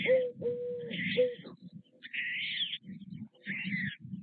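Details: White stork chicks at a nest in Nové Mlýny on 6 May 2024, fed by parents about every half hour, beg: three short hooting notes, then hoarse, buzzy wheezes in bursts over a low, pulsing rumble.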